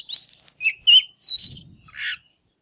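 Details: Short burst from a fired-up ('căng lửa') Oriental magpie-robin singing and dancing, used to set other birds singing: bright wavering whistles and a sharp slur, then a buzzy, rasping final note, with a soft low thump.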